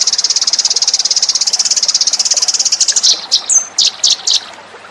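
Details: Lure call of the Eurasian tree sparrow, a long rapid chattering trill of high notes, then spaced single chirps and a short thin whistle.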